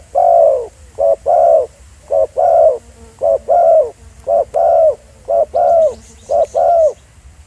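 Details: Continuous cooing of a spotted dove, recorded live in the field at Pha Sing as a decoy. Regular short-then-long coo pairs repeat about once a second, warm and hollow, over a faint steady hum.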